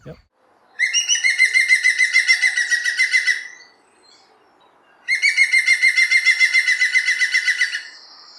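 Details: A European green woodpecker gives its laughing 'yaffle' call twice. Each call is a fast run of about twenty ringing notes lasting over two seconds, with a short silence between them.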